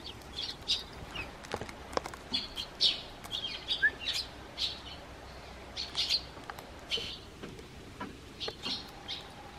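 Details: Sparrows in a garden flutter onto a bench and call to the man leaving his house. Steady scattered chirping, many short high tweets from several birds, with a few soft wing flutters.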